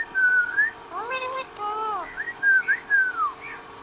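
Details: Parrot kept as a pet, talking with its owner: a rising whistle, two arched harmonic voice-like notes, then a run of short clear whistles, some falling away at the end.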